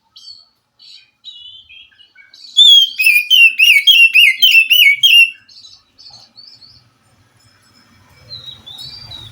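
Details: Wild white-rumped shama from the forest responding to a captive bird reluctant to sing: quiet whistles build into a loud, rapid series of rolling whistled notes, then fade to soft calls with faint low background noise.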